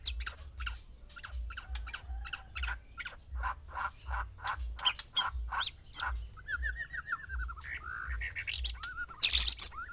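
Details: Captive male white-rumped shama housed with six females, singing to stir mating: rapid bursts of sharp chirps and clicks, then a run of looping whistled notes near the end, with a steady low hum underneath.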